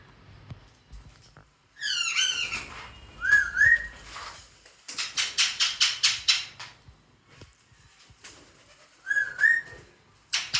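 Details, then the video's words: Parrot parents with two chicks at home in Karachi: falling harmonic squawks and short rising whistles, then a fast run of about ten sharp repeated calls. Faint room noise is heard underneath. "Wild parrots flying and there beautiful sound"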